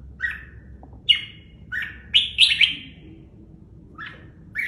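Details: A caged red-whiskered bulbul sings a few mellow whistled notes, then a quick run of three louder, rising-and-falling phrases, followed by two softer notes.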